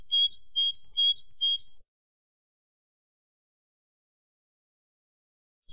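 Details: Field European goldfinch song used to train birds: a fast run of bright, tinkling twittered notes repeated in a quick rhythm for under two seconds, then silence and a final brief chirp, clean background.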